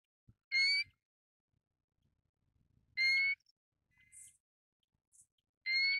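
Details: Pacific golden plover giving clear whistled calls, each about a third of a second, slightly rising with rich harmonics, repeated roughly every two and a half seconds; softer high chirps and faint low thumps between calls.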